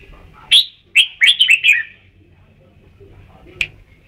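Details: Red-whiskered bulbul at Ban Song giving a sharp upslurred note and a fast bubbling run of bright chirps, then a lone short call after a pause.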